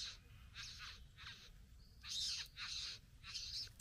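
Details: At the bower, a satin bowerbird courts a female with a steady run of rasping, buzzy churrs, each about a quarter second long, repeated in even pulses over low rumble.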